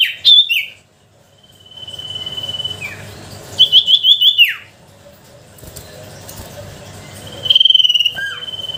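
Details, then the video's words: Sooty-headed bulbul song used as a lure for bulbuls that will not sing: a sharp opening note, a long level whistle, a fast trilled burst that falls away, and a final trill after quiet gaps. "Suara pancingan sirtu pikat gacor dor,sangat ampuh untuk memancing sirtu malas bunyi."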